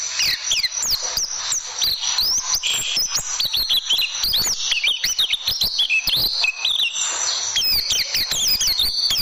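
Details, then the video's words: Caged-bird tutor track of oriental white-eye song: a long, lively stream of thin high chirps, zigzagging trills and downward slurs, packed tightly with scarcely a pause. "Masteran Burung Pleci Dan Tembakan"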